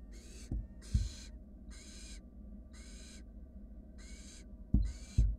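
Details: Barn owl nestlings, wild, in a nest box as one sibling swallows a rat; six rasping snore-like hisses in regular sequence, some with a faint rising whistle inside, plus sharp knocks of chicks shifting.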